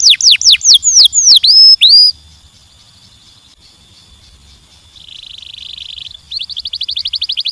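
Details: A singing canary gives several loud, falling whistled notes, goes quiet, then adds a soft buzzy trill and finally a quick run of short repeated notes.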